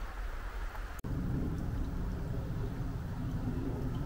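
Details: Heavy rain with rumbling thunder and a sharp click near the start; no animal voices are heard.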